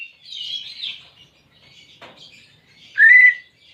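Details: Greater green leafbird song, played as therapy to get a silent pet leafbird singing: a buzzy high warble, a short pause, then one loud clear whistled note rising and levelling off near the end, with quiet background.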